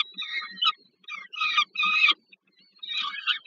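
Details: Peregrine falcon at its Warsaw nest site at the Żerań power plant in Poland, 15 August 2022, as food is brought to a young bird. Three rasping, harmonic bursts are given in quick succession, then a pause and a final hoarse call.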